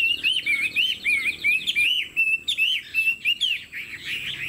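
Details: Lively caged Chinese hwamei with a fanned tail singing loud, clear whistled phrases: quick wavering trills followed by repeated looping, slurred whistles about every half second.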